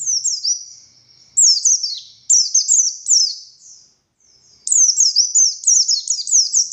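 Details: Oriental white-eye (buxtoni) giving 'konslet' style song, described as a male calling a female; high sliding chirps in uneven clusters with brief gaps, ending in a fast unbroken twittering run.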